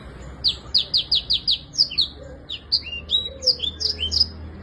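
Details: A black-throated canary in vigorous song, used as a tutor recording for cage birds, sings a fast, high series of bright chirps and twittering slurred notes: quick repeated notes, then varied warbles, with faint background hum.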